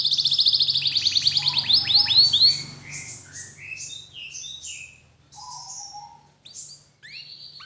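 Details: Canary song meant to coax other canaries into singing: a fast loud high trill of repeated notes, then varied whistled swoops and slurred phrases that fade into softer scattered notes.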